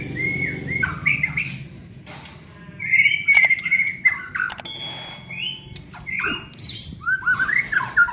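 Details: Young white-rumped shama being trained, singing varied whistled phrases, some rising and some flat, mixed with sharp ticking notes, with a low background rumble.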